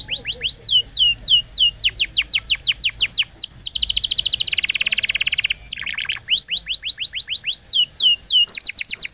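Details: Canary singing like a champion for training young canaries: long runs of rapid downward-sweeping whistles, broken by a dense buzzy roll, then more fast descending notes.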